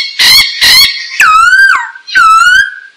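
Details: Masked laughingthrush (poksai hongkong) song for training caged birds: two harsh buzzy bursts, then long whistled notes dipping and rising, loud and clear.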